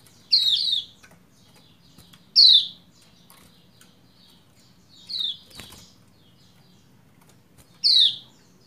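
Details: Calling female Lombok white-eye used to rouse a male into song: four sharp, high, downward-sliding chirps spread irregularly over eight seconds, with a brief rustling click between them.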